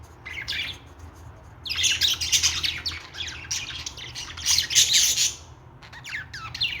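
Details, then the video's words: Budgerigar singing indoors: continuous scratchy chatter of rapid clicks, squeaks and warbled notes, loudest in two long bursts, over a low steady hum. "Australian parrot singing"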